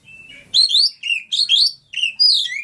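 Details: Oriental magpie-robin of the Lampung type in a rapid, loud run of varied whistles and slurred high notes, phrases swooping up and down almost without pause.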